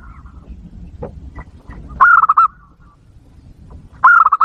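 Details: Wild-dove lure call of a zebra dove: two rolling phrases about two seconds apart, each an upslurred note then a fast burst of bubbling coos, with soft scattered chirps and low rumble between.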